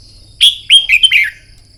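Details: Morning contest-training song of a red-whiskered bulbul: a single loud, clear phrase of four quick whistled notes, the last ones dropping in pitch.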